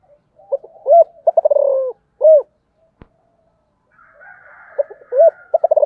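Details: Spotted dove giving its coo phrase of stuttered notes, a rolling falling purr and a closing hooted coo, then after a click and a pause another bird's faint higher call before the phrase starts again.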